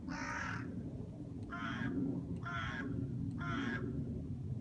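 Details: Crow giving four harsh, hoarse caws, each about half a second long, spaced roughly a second apart, over a low steady background hum.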